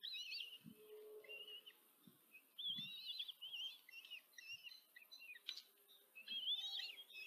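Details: At a Hungarian nest in Tiszanagyfalu on 14 July 2023, a female common kestrel feeds four chicks, which keep up a run of high, quavering squeals and whines, some overlapping, with low knocks and a sharp click near the middle.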